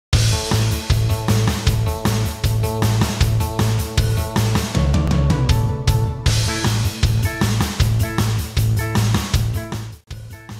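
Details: Loud rock music with driving drums, bass and guitar throughout, and no animal sound.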